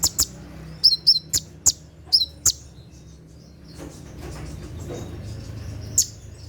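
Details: Night-time 'tembakan' song of a caged sunbird, used for training caged birds: a burst of piercing chirps and falling whistles in the first half, then near quiet with rising low rumble and one late chirp.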